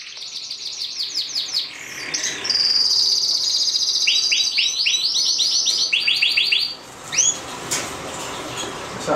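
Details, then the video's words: A Yellow Variegated canary sings a bright, high song of rapid repeated notes, a long sustained trill, then rolling chirps; a faint voice comes at the end. "A Canary Singing"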